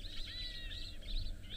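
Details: Cape longclaws on a warm sunrise safari morning, 13 April 2024, give thin, high, catlike mewing calls in quick succession, also likened to laser guns, over a steady low engine rumble.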